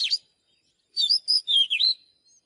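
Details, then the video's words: Oriental magpie-robin song: a short note, then a pause, then a tight cluster of four bright warbled whistles gliding up and down. "เสียงนกกางเขนบ้านหรือนกบินหลาขี้ควายใต้ [ Mới nhất ] Chòe than HÓT CỰC ĐÃ || Luyện chòe than hót"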